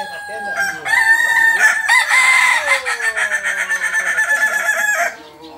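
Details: Kukuak Balenggek rooster, a chicken endemic to Solok, West Sumatra. It crows loudly with stepped, clear harmonic syllables that break into a rapid pulsing, stuttering tail. Other roosters and background noise are faintly audible.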